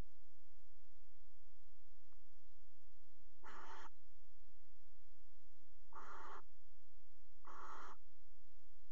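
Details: A barn owl at its nest box in the Axel water tower, 5 February 2018, during mating on the rim: after several quiet seconds, three short harsh hissing screeches arrive at irregular intervals.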